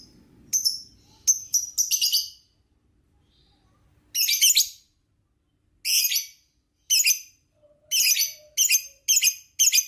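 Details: Lovebird in a training recording: clusters of quick high chirps, then harsh chattering bursts in irregular groups after a short pause.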